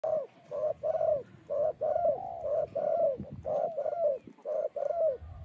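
A spotted dove gives low, soft, hollow coos in quick runs of two or three, with short gaps between phrases. A faint, steady high hum runs underneath.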